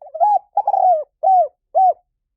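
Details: Spotted dove call for luring wild doves: warbling notes, a drawn-out burred coo, then two arched coos in quick, even succession, with a clean, quiet background.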